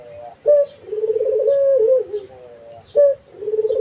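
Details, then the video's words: Barbary dove calling again and again, each phrase a loud abrupt note followed by a throaty, vibrating coo that holds steady and then drops, with high faint twittering from other birds. "SUARA BURUNG‼️ PUTER GACOR"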